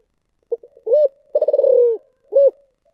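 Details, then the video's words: Spotted dove singing a thổ sấm voice-style coo: a short stuttered note, a rounded hoot, then a long throbbing pulsed coo gliding down, and a final rounded hoot. Clear and close, with no other sounds. "cu gáy giọng thổ sấm thúc gù"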